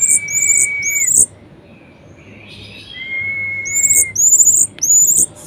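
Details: Caged orange-headed thrush in a lively varied song meant to stir lazy birds into singing: a long steady whistle, then bursts of high rising slurred notes repeated in quick phrases, with short gaps between.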